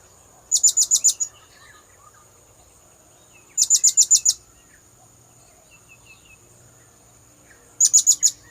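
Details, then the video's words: Blue-crowned hanging parrot, a recording used to lure birds: three bursts of five very high, thin, squeaky notes in quick succession, spaced about three to four seconds apart, over a faint steady insect hum. "Suara pikat burung serindit"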